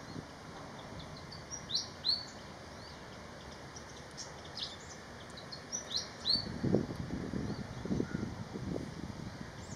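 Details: Malaysian pied fantail calling with scattered high, sharp, squeaky notes in short groups, against a background of low rumbling noise that grows louder in the second half.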